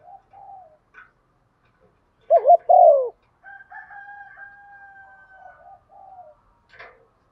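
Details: Female dove calling in the rainy, stormy season to stir males; a single loud phrase of low, sliding coos amid a long, faint, steady tone and soft distant cooing.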